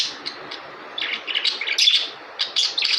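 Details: Budgerigars giving quick scratchy chirps and warbled squeaks in rapid runs, growing busier in the second half with loud trilled notes.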